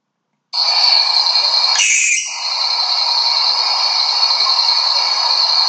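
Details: Barn owl (Tyto alba) giving a long, harsh, hissing, ratcheting screech lasting about five seconds, rough and high with one brief catch early on; a typical voice of the masked owl group.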